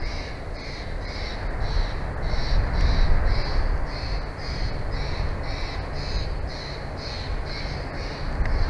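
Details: Bald eagles at their nest in Big Bear Valley, recorded by a live nature cam at night on 1 June 2024. High, repeated notes come roughly every half second over a steady, strong low rumble of wind or noise.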